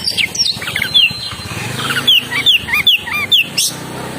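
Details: Oriental magpie-robin singing a rapid varied phrase of clear whistled slides and short twittering notes, many notes falling in pitch, packed closely over four seconds with a busy background hiss.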